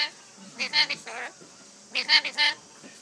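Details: Rainbow lorikeet speaking, imitating the Japanese peekaboo phrase 'inai inai baa'. There are two bursts of harmonic, voice-like syllables, the first cluster early and a second, brighter three-part phrase after a short pause.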